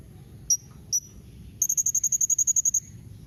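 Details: Blue-crowned hanging parrot call meant to draw replies from other parrots: two separate sharp high chips, then a fast, even string of about fourteen thin piercing notes lasting just over a second, over soft low background noise.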